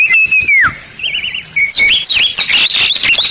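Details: Bali myna: a clear descending whistle, a quavering trilled note, then a loud jumble of twisting whistled phrases.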